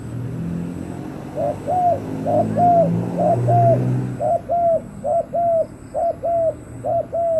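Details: Captive spotted dove used as a decoy to lure wild doves. After a second of low rumbling background, it gives a steady series of short arched coos, mostly in close pairs, about twelve notes in six seconds. A faint, steady high tone runs throughout.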